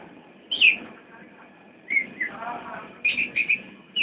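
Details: Javan white-eye nyinden song: a lone bright chirp, a pair of slurred notes, then a quick cluster of high chirps, with a low background hum.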